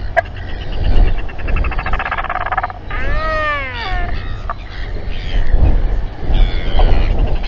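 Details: At an evening albatross gathering in New Zealand on 27 January 2021, a fight breaks out among royal albatrosses; buzzy pulsed braying gives way to a loud series of arched, bending harmonic cries, with constant wind noise.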